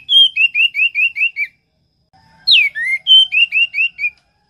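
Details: Orange-headed thrush repeating a clear whistled note in fast runs of about six, each slightly slurred, broken by a sharp downward-sweeping phrase before the run resumes.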